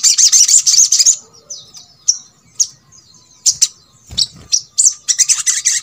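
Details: Sogok ontong played as a master recording to coax other birds of its kind into singing: a dense burst of very high, sharp chattering notes, then scattered thin chirps and short trills after a pause.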